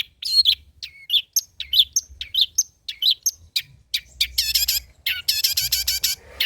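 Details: Long-tailed shrike, locally cendet, with 'materi jadul' old-style song: a series of sharp slurred chirps about twice a second, building into rapid harsh trilled bursts of stacked notes near the end.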